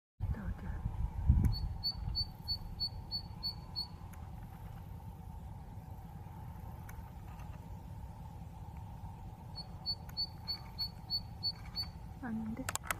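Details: Zitting cisticola in a summer reed bed on reclaimed land in the Sihwa Lake basin, 27 June 2021, gives a run of about eight sharp, high 'zit' notes at roughly three per second, repeated once more later, over a steady low rumble.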